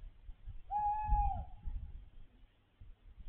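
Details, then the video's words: Tawny owl sitting on a roof above a window at night, a single level hoot of under a second, followed by low rumbling handling noise and hum. "Puszczyk , fajnie się śpi przy takiej "muzyce""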